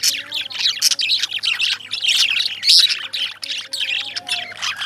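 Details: Indian lovebirds chirping in a steady, dense chatter of sharp, high squeaks and tweets that overlap without pause, with a faint low hum underneath.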